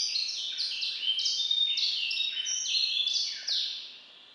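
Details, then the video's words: White-rumped seedeater hybrid (Serinus leucopygius cross) singing song learned from a grey singer (variant IV): a fast, unbroken canary-like warble of high, sweeping twitters and trills. "Bastardy po szarym śpiewaku " Song after grey " ( serinus leucopygius )"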